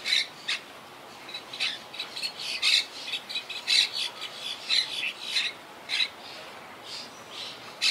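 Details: Wild Quaker parakeet colony in trees, rebuilding after losing about half its members to hurricane Irma in 2017; rapid harsh squawks nearly every second, mixed with shorter chattering notes.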